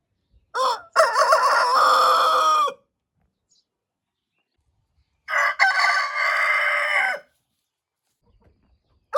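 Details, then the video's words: Two rooster crows spaced about five seconds apart, each with a wavering, stuttered opening leading into a long buzzy sustained note, a third crow just beginning at the end. "Roosters crowing compilation | Sounds of roosters"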